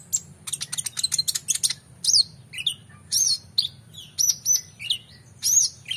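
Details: Oriental magpie-robin in an energetic full-repertoire song meant for tutoring competition birds: a rapid run of dry ticking notes, then rich slurred whistles, some rising and some falling, in fast irregular phrases over a low hum.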